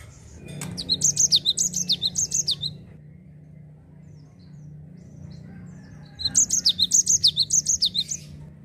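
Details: Java sparrow in its rolling 'ngerol' song, used to prompt untrained birds to sing: two bursts of high, sharp notes zigzagging steeply up and down, about three per second, with a quiet pause between and a low hum beneath.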